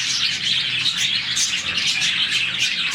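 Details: Budgie colony of some 40 birds giving happy morning chirps; thick, high-pitched chatter of overlapping tweets and squeaks, evenly loud throughout.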